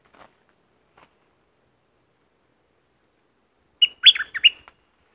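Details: Near silence, then a streak-eared bulbul from southern Thailand bursts into one bubbly phrase of four chirped notes close to the end.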